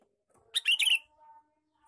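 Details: Lure call of a male sooty-headed bulbul: a single loud, bubbly burst of quick, jumbled notes lasting about half a second, then a faint, steady tone.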